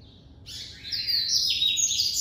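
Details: White-collared seedeater from an amateur breeder, classic-style song: after a soft high lead-in note, a loud run of bright, high whistled and buzzy phrases that step down and then back up.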